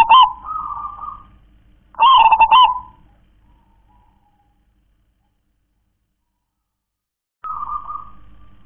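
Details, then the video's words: Local zebra dove gives the kong klar-ke-tek-kong song style. A soft coo tail opens the clip, then one rapid stuttered cooing phrase follows. After a long silence, a fresh drawn-out coo starts near the end. "perkutut lokal warisan suara KONG‼️KLAR-KE-TEK-KONG"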